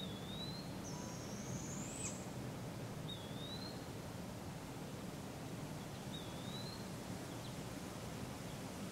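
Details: Barred owl fledglings fed by their parents in a local park, Polk County, Iowa, July 6, 2017: a single rising, raspy hiss near the start, amid thin, high, whistled chirps from other birds.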